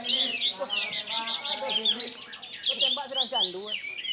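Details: Energetic caged bulbul song, varied whistled notes and quick warbling runs strung together without pause, with a man's voice audible underneath.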